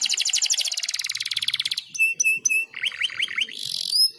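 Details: Canary song used as a tutor recording for training young canaries, in a distinctive 'cengkok unik' style: a fast, high buzzy trill of rapid repeated notes, then sharp whistled chips and quick rising slurred notes.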